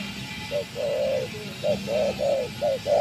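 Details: Spotted dove kept as a trapping decoy after many days in the wild: slightly muffled coos, a brief note then a longer even one, repeated in quick pairs against a steady low hum.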